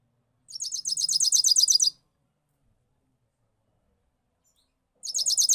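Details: Goldfinch in 2022 delivering one rolling phrase, a rapid, even high trill of repeated identical notes lasting about a second and a half, then beginning again after a pause.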